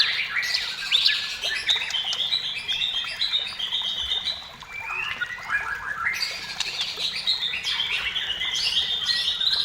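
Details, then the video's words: White-rumped shama pouring out dense, rapid chattering phrases mixed with high whistles, a brief lull midway, then another burst of busy, scratchy song. "SUARA MURAI BATU GACOR MEMANCING MURAI BATU BIAR CEPAT BUNYI DAN GACOR"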